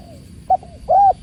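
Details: Spotted dove (tekukur) cooing beside the sound of water: a short soft coo, then a longer arched, mellow coo rising and falling, with low steady background rumble.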